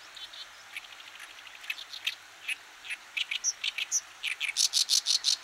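An Oriental Reed Warbler delivers harsh, grating chattering notes that build into a fast, loud run of repeated phrases, about three per second by the end.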